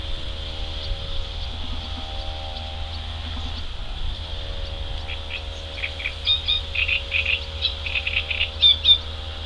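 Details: Mallard ducklings swimming on a river in May, looking for food; after a quieter start, short high peeps come in quick clusters over the last few seconds, against a steady high hiss and low rumble.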